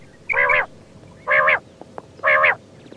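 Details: Quail, locally called batair: three nasal, harmonic calls, each about a third of a second long, spaced roughly one second apart over a faint hiss.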